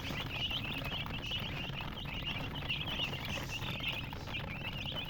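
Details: Flock of baby chicks giving continuous high, quick peeps that merge into a shimmering chorus, set against a steady low droning hum.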